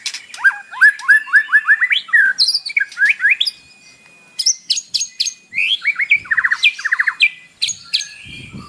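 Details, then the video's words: Morning song of a captive white-rumped shama used to make another bird sing: fast series of rising whistled notes, trills and buzzy bursts, a brief pause, then more rapid varied phrases. "PANCINGAN pagi hari EFEKTIF bikin Gacor dengan suara murai batu isian"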